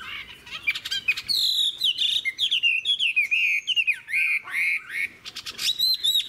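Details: Long-bodied, fig-leaf-tailed Chinese hwamei, an adult caught from the wild and now caged, pours out a continuous song of bright whistled slurs and trills, phrases tumbling one after another with barely a pause.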